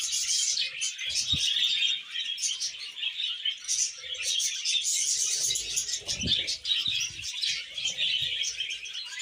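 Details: Steady high budgerigar warbling and chirping during mating and breeding, dense and overlapping, with wing flutters or rustling thumps near the middle and later on.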